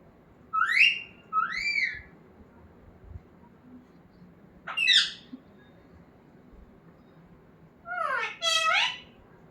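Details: Talking pet parrot giving clear upward-sweeping whistled calls: two paired rising notes, a lone sharp downward cry midway, then a final pair of rising-falling harmonic calls after long silences.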